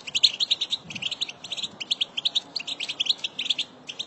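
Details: Batbata chatter of a female European goldfinch, a sound used to stimulate goldfinches to sing: a steady stream of sharp, high tweets in quick runs over faint background hiss.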